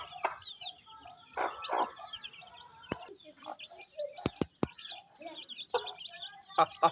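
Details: Rainy-day scene of a hen feeding chicks in a Pakistani village; low hen clucks and sharp clicking knocks punctuate a steady background of high peeping chicks.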